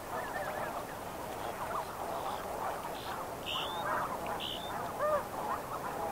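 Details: Snow Goose flock calling in flight at medium distance, a dense, continuous chatter of overlapping nasal honks, with brief higher whistled notes from other birds above.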